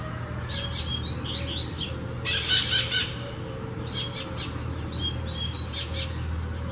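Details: Double-collared seedeater singing: rapid high chirped notes and a short dense burst of repeated sharp syllables, amid other chirping birds and a steady low hum.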